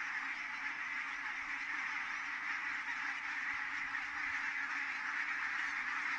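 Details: Geese in large numbers settling at Kulgur, Estonia, on the evening of 4 May 2018 at 17:58, giving a constant, crowded chorus of nasal honks layered over one another.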